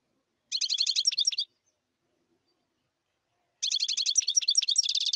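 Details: European goldfinch singing two bursts of rapid, tinkling twitters and chirps, high-pitched and liquid, with a silent gap of about two seconds between phrases and no other sounds.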